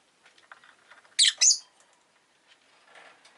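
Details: Rosy-faced lovebird making two harsh, shrill chirps close together, over soft rustling and clicking in the background.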